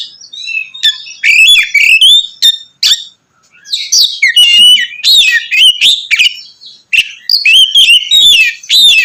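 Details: Loud provoking song of an Oriental magpie-robin, singing continuously in full voice; bursts of sharp chips and rich whistled, slurred phrases separated by brief pauses.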